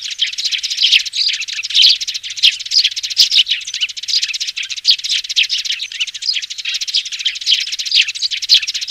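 Young sparrows chirp nonstop, with many high, thin, overlapping cheeps running together into a busy, unbroken chatter.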